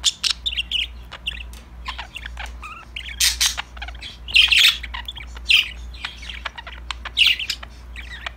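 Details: Parakeets (budgerigars) having fun together keep up a busy stream of short chirps, broken by louder rasping squawk bursts around the middle and near the end. A constant low hum is present.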